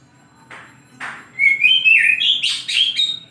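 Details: Oriental magpie-robin singing in the morning: two short buzzy notes, then a loud whistled phrase of sliding, rising and falling notes with harsher trills near the end.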